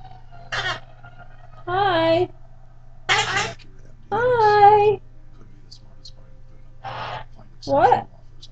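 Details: A 13-year-old male Goffin's cockatoo indoors chatters in his own made-up language: a few short harmonic, wavering bursts with rising and falling whistled tones, separated by pauses, over a steady low hum.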